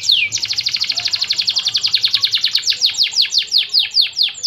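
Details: Canary singing a long 'roll tembak' song, used as a lure to make moulting canaries sing: a fast rolling trill of quick downward-sweeping notes that gradually slows into wider, separate swooping whistles.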